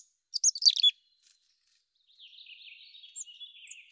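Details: A mountain chickadee (Poecile gambeli) gives a quick cluster of high, sharp chips, then a longer run of softer, buzzy twittering notes; nothing else heard.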